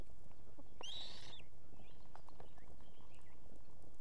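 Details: Female osprey summoning her mate to bring food to an Estonian nest holding two chicks, evening: one strong whistled cry about a second in, followed by fainter arched whistles, over continuous wind-like rumble.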